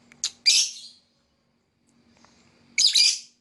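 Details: Lovebird chirping in two harsh, shrill bursts, the first preceded by a quick sharp note, the second about two seconds later, with a faint low hum beneath.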